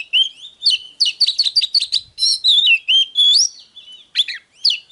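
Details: Oriental magpie-robin, hót déo song style: dense, energetic whistling with many clear slurred notes, chirps and trills in rapid succession, loud and continuous, with a few short gaps.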